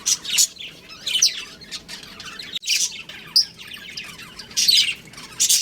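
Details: Pet budgerigar breeding pair chirping indoors: scratchy, high chatter with sharp squeaky notes in clusters, brief pauses between bursts.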